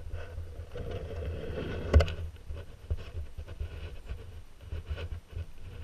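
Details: Low rumbling boat engine and wind noise with one sharp knock near two seconds, no animal calls audible.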